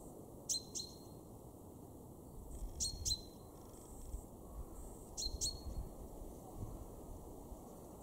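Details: Male common chaffinch recorded in a Weener garden, East Frisia, Germany, in March 2023, giving three well-spaced pairs of sharp ringing calls, each note a fast falling flick into a thin high tone.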